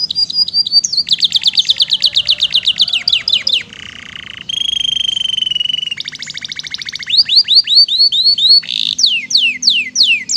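A canary sings fast, bright tours: rapid repeated chirps, a buzzy roll and sweeping whistled slurs, each phrase switching after a second or two.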